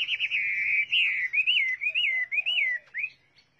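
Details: Chinese hwamei giving a clear, loud series of rolling whistled notes that rise and fall, ending abruptly after about three seconds.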